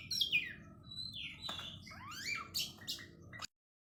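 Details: Quiet oriental magpie-robin song of sliding whistles, descending slurs and a few harsh notes, cutting off abruptly before the end.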